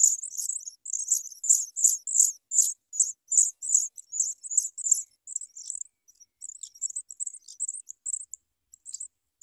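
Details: Sprague's pipit nestlings fed big worms by a parent: a dense run of shrill, very high chirps, about three a second, strongest at the start, then thinning into softer, scattered peeps.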